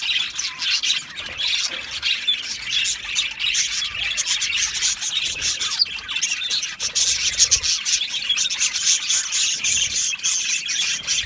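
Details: Budgerigars in a breeding aviary colony chatter continuously in a dense, scratchy warble of rapid chirps and squawks, several birds overlapping without pause, as breeding and mating sounds.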